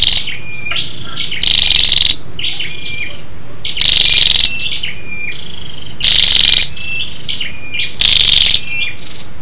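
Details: Stimulating call of a female scarlet-backed flowerpecker aimed at males: repeated harsh, buzzy, high rattles about every two seconds, interspersed with sharp thin whistles and short slurred notes.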